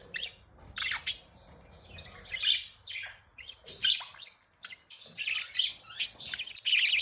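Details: Playful budgies give scattered sharp chirps and scratchy squeaks in uneven bursts, some notes sweeping downward, ending in a loud dense chatter.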